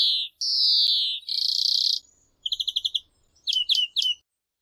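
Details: European greenfinch singing: two wheezy notes, the second long and sliding downward, run into a buzzy trill. A string of quick clipped notes and three sharp falling chirps follow in a varied sequence.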